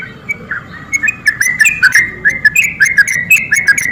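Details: Sooty-headed bulbul (trucuk) singing energetic 'gacor' song meant to provoke lazy birds: a steady chain of short bubbly whistled notes, slightly rising and falling, about three per second, with faint background hiss.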